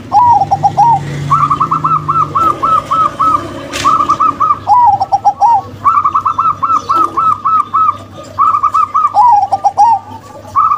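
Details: Zebra doves, a local-type female and a crossbred male, singing: bursts of rapid, bouncy cooing notes, each phrase a quick run of short hooked coos ending in lower trilled notes, repeated with brief pauses; faint low hum behind.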